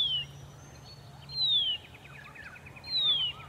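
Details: Horsfield's bronze cuckoo singing in early-morning sun near Dayboro, SE Queensland, Australia, in November 2021: a high, thin whistle sliding steadily downward, repeated about every one and a half seconds, over faint chattering of other birds and a low hum.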